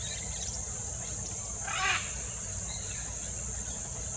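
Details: Wild, endangered great green macaw, known locally in Costa Rica as Gran Lapa Verde de Talamanca, feeding; one short, harsh, raspy squawk rises out of a steady high-pitched insect drone, with faint ticking sounds around it.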